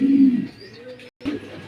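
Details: Pigeons kept at a farm in Mirpur 1, Zahurabad, give a loud low cooing hum in the first half second, then softer murmuring after a brief break.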